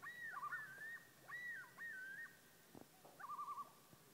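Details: Loons on Whitefish Lake, Wisconsin: clear, sliding wailing notes with looping yodel-like phrases, then a quavering tremolo near the end, heard across open water.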